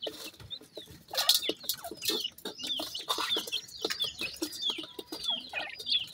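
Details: Grey francolin chicks feeding contentedly, giving a steady stream of sharp, high, falling cheeps, several overlapping, mixed with pecking clicks and rattling from the feeding.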